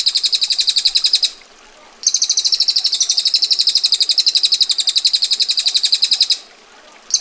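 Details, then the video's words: A female bar-winged prinia delivers its ngetir roll, dense, sharp and harsh: a rapid rattle of high buzzy notes, pausing briefly, a long run of about four seconds, another pause, then the trill starts again. "Prenjak Betina Gacor Ngetir Rapat Tajam Kasar Roll Panjang"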